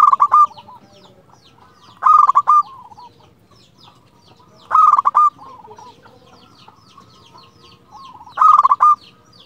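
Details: Local zebra dove singing clearly to call a rival: loud bursts of rapid, stuttering coos ending in a short rolling trill, repeated about every two to three seconds, with softer coos from other doves between phrases.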